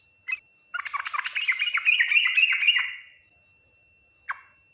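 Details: Yellow-vented bulbul in full Ngriwik Nguplik Tuklik-Tuklik style, meant to prompt fast responses from other bulbuls: one short note, then a two-second run of fast jumbled chirps rising into a bright chatter, and a final lone note.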